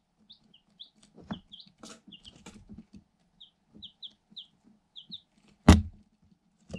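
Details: Eight day-old Light Sussex chicks, hatched in an incubator, in a cardboard box, filmed with a GoPro Hero 7 Black through a hole. Short high peeps, each falling slightly, come scattered through the clip. Dull pecking knocks on cardboard are heard, with one loud thump.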